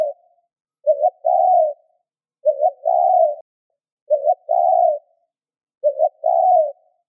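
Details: Spotted dove giving its decoy coo to draw in wild birds: four even phrases, each a quick double hoot and then a drawn-out soft coo. They repeat about every 1.7 seconds in a quiet setting.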